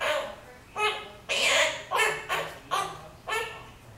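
A monk parakeet talks in a bright, nasal voice, saying about six clipped, speech-like syllables in a short phrase, with quiet pauses between them.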